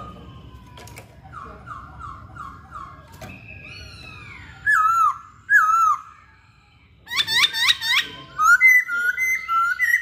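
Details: Masked laughingthrush in full song: soft repeated falling notes, then loud slurred whistles sweeping down and up, followed by a rapid series of bright rising-falling whistled phrases.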